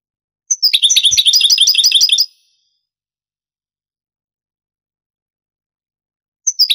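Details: Granada-style song of a European goldfinch from a vintage Spanish cassette: one fast, evenly repeated twittering phrase of high bright notes, a long silence, then the start of another phrase.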